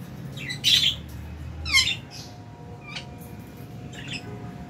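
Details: Aviary lovebirds at meal time in January; two loud, grating squawks close together, followed by softer chirps and a thin whistle, with a low hum beneath.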